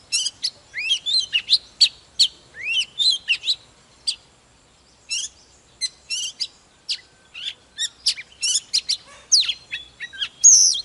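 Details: White-rumped shama, an older wild-caught bird, singing while displaying: rapid bursts of varied high whistles, chips and slurred notes in dense phrases, with short gaps between, ending in a bright rising flourish.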